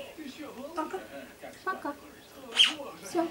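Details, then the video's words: A pet talking Grey parrot indoors imitates human words such as "privet" and "poka poka" in shifting male and female voice pitches, broken by one sharp high squeak near the end; quiet room. "Попугай Меняет Голос"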